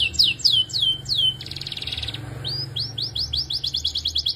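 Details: Belgian canary giving a few loud slurred whistles, a brief buzzy rattling phrase, then a series of rising chirps speeding into a trill, over a low background hum.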